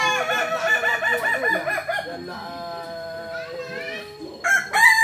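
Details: Kukuak Balenggek chicken from Solok, West Sumatra, crowing at a practice gathering: a wavering, pulsing crow of about two seconds, then a steadier drawn-out note and a loud new outburst at the end, with clucking between.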